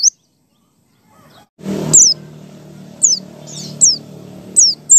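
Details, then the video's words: White-eye (pleci) ngalas song used as a lure for other white-eyes: single high, down-slurred whistled notes spaced roughly a second apart, with a brief low thump and soft background hum. "PLECI BUKA PARUH ngalas 1,2,3"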